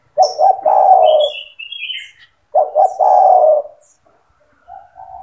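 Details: Spotted dove singing persistently, used to train young doves: two low phrases of paired short coos and a long falling coo, with a small bird's clear whistled notes between them and soft coo-like sounds at the end.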